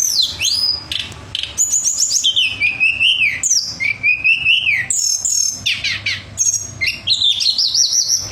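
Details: Tledekan (Pied fantail) contest-bird song, lively and varied: sweeping whistles that dip and climb, quick chirps, and wavering trilled phrases following each other with hardly a pause.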